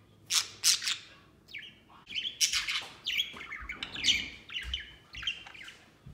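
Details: Pet budgerigars at play outside the cage, a white one among them: loud, clear chirps in quick succession, then a lively, varied warble of squeaky, slurred and scratchy notes.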